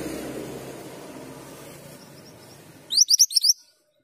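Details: Actively singing male Mantenan gunung gives one quick run of five sharp, high chirps near the end, after a stretch of low background noise.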